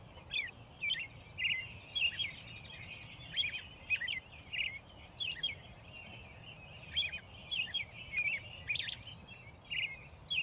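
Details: American robin singing at dusk atop railroad ties next to a railroad, Shiloh, Illinois, April 2024; clusters of clear caroled phrases separated by short pauses, roughly two phrases a second within each burst.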